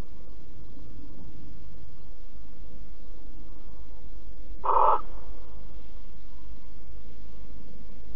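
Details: A single short harsh hissing screech from barn owls cuddling in Alphen, 5 September 2019, 09:46, rising out of a long stretch of steady low background noise.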